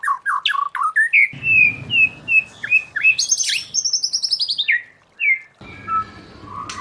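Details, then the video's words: Forest-voice song of a white-rumped shama for training: quick descending notes, a string of clear repeated whistles, a high buzzy rattle, then scattered softer notes with faint background hiss. "Luyện choè lửa hót giọng rừng hay"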